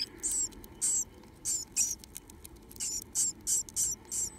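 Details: Two remaining Japanese tit (Parus minor) nestlings in a nest box, begging for food with open mouths: high, thin, hissing chirps, about nine short bursts in four seconds at an uneven pace.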